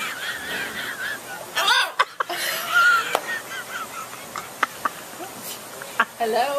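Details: An angry parrot talking: warbling, voice-like phrases with wavering tones, broken by sharp clicks and knocking sounds.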